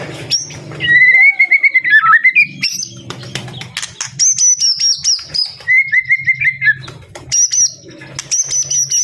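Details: Song of a white-rumped shama: drawn-out whistles that wobble and drop, broken by staccato clicks and high piercing phrases, with a faint low hum beneath.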